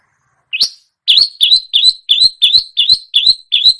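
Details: Long-tailed shrike imitating songbirds with a steady run of bright, twittering upslurred chirps, roughly three per second, after a single opening note.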